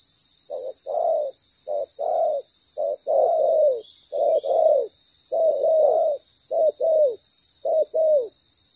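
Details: Spotted dove used as a decoy in ground trapping, with a loud, well-patterned voice. It gives a steady series of paired low coos, about nine pairs, each ending in a falling slur, roughly one pair per second, over constant background hiss.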